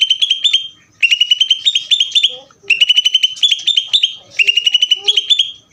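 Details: Greater green leafbird giving ngeder song, quick trills of sharp, high notes in phrases about a second long, with a few faint lower chirps between phrases.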